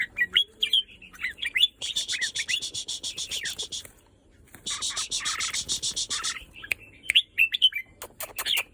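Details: Red-whiskered bulbul singing short bubbly whistled phrases at the start and end, interrupted by two long loud bursts of harsh broadband rattling noise in the middle.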